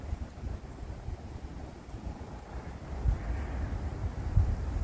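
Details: Outdoors, gusty wind rumbles against the microphone with a couple of louder thumps, and no birds or dogs are heard.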